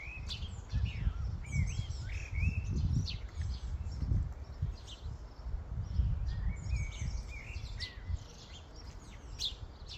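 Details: A flock of common starlings at a feeding station: many overlapping whistles, slurred rising and falling notes and short chirps, sometimes in quick runs, over a steady low rumble of background noise.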